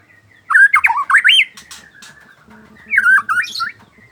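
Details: White-rumped shama in afternoon song, giving two loud bursts of rich warbled whistling that loops up and down in quick wavering turns, separated by a quieter pause with faint clicks.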